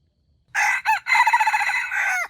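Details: A wild junglefowl kept as trap bait crows once: two short rising notes, then a long, loud, throbbing note that drops away at the end.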